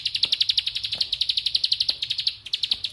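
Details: Bar-winged prinia giving its rapid 'bren' song, likened to lato-lato clackers: a fast chain of sharp, even ticking notes, high-pitched, about seven per second, briefly faltering near the end.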